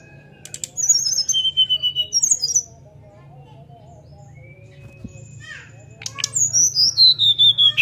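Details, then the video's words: Sunda forktail singing 'nyuling', a whistling style meant to draw other birds into song. Two bursts of high whistled notes descend in pitch, separated by a quieter gap with faint short calls and a low background hum. "Srdc nyuling buka paruh untuk pancing SRDC lain ikut bunyi ampuh"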